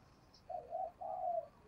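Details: Decoy spotted dove used for luring wild doves gives a short coo: two brief hooting notes followed by a longer, smooth, level coo, with faint background hiss.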